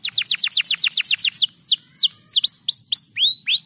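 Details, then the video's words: Canary in loud, lively song: a fast run of about eight descending whistled sweeps per second, then slower, varied upslurred whistles with short gaps. A faint low murmur sits underneath. "MASTERAN KENARI GACOR VOLUME PEDAS"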